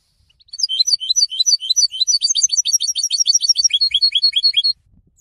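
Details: Goldfinch song, used to establish presence and court females: loud, dense, high twittering, shifting into a fast series of sharp, down-slurred chirps repeated several times a second for over four seconds.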